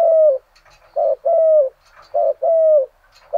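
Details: Decoy spotted dove in the thổ singing style, cooing at dim dawn to lure rival doves: low, hollow coos, each note about half a second, long sliding coos alternating with shorter ones in a steady repeated phrase.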